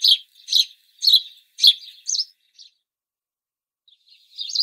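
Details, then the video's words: House sparrow, also called city sparrow, giving a run of loud, harsh chirps about twice a second, five in quick succession, then a few softer clipped notes, a silent gap of over a second, and another chirp starting. "Как поёт Домовой, или городской воробей (Passer domesticus)"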